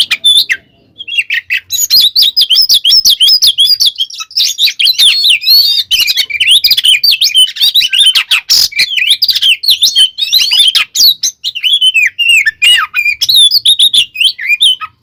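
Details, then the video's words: Long, intense 'tarung konslet' fighting song from an Oriental magpie-robin, used to provoke other kacer; after a short opening note comes a nonstop torrent of rapid chattering and whistled trills. "SUARA BURUNG kacer gacor TARUNG KONSLET full isian ini AMPUH buat PANCINGAN KACER agar EMOSI"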